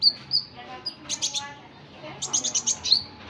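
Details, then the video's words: Sunbird, known locally as kolibri ninja or burung konin, with very high, thin whistled notes and quick clusters of sharp chirps, some in fast repeated series. "Kolibri Ninja || burung konin"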